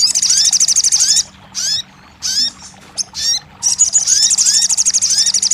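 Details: Crested jay, used as therapy to get a bird that has stopped singing to start calling: long fast high-pitched rattles with rising whistled slurs beneath, broken by short separate bursts, then another long rattle.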